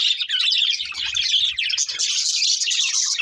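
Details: Group of budgies eating and singing: an unbroken, bright chatter of quick chirps and rasping warbles that grows slightly higher and fuller toward the end.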